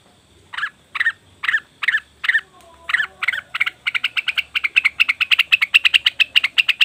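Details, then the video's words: Cucak wilis or rengganis leafbird calling as a lure: several slow, husky notes spaced half a second apart, then a rising, accelerating series of short, sharp chips. "pancingan burung cucak wilis/rengganis dijamin langsung bunyi"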